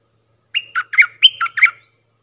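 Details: Red-whiskered bulbul song used to train young hand-raised birds and lure wild birds, in the Thai styles called sap dok, boen and rik: one quick bubbly phrase of six warbled notes, alternating high and lower pitches, on a silent background.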